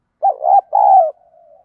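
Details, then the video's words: Spotted dove phrase in the deep 'giọng đồng' style, used as a fighting lure: a wavering opening coo, a sustained falling coo, then a soft drawn-out trailing note. "cu gáy giọng đồng, cu gay kich boi nhanh noi gù"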